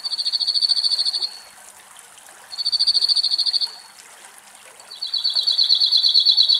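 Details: Cirl bunting singing in a Greek forest while a male and a probably young bird bathe at a bird bath: three dry, flat, buzzy trills on one pitch, each about a second long, repeated roughly every two and a half seconds.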